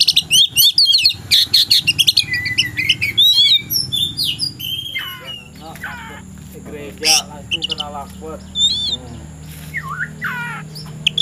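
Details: In the afternoon, an Oriental magpie-robin kept for song contests and described as ready to fight sings a rich, fast run of varied whistles, chirps and rising slurred notes, with harsh buzzy bursts and a steady background hum.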